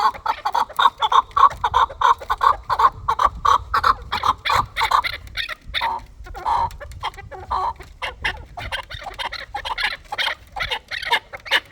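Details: Fighting chukar partridges in a long, almost unbroken run of rhythmic clucking chuck notes, some overlapping, with a brief slower patch in the middle.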